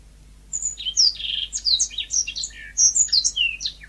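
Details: Yellow-fronted canary (mozambik) singing naturally: a fast, varied run of high sweet chirps and short whistled slurs, many notes dropping in pitch, sung without pause for about three seconds against a faint low hum.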